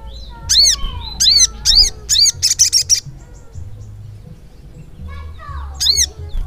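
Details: Little spiderhunter in continuous lively song, giving a run of loud, high, arched chirps about twice a second, then a pause and one more chirp. A faint low hum sits underneath.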